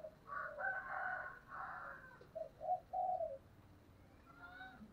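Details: Spotted dove singing in the earthy "giọng thổ" voice style: a jumble of brighter, higher calls for the first two seconds, then three low, rounded coo notes in quick succession, fading into faint background noise.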